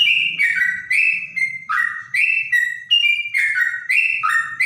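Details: Whistled trotok song with a clean tone compared to a straw-headed bulbul, notes dropping and rising in steps, some swooping down, above a quiet low background hum.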